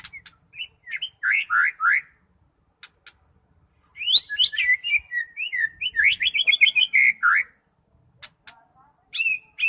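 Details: Singing white-rumped shama, Medan type: loud repeated downslurred whistles, a pause, then a rapid jumble of sharp chips, trills and a steady whistled note, with scattered clicks.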